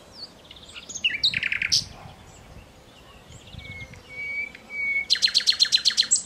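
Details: Nightingale singing in alluvial forest near the Danube river at Dunajske Luhy, Slovakia: varied phrases of rapid repeated chirps, pure drawn-out whistles, then a loud fast trill of sharp notes, with a low steady hum behind.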